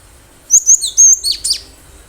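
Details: Wild cinereous tit singing actively, used as a lure to prompt other birds to respond: a brief run of high, thin whistled notes and sharp downslurred chirps, about five notes in one quick burst.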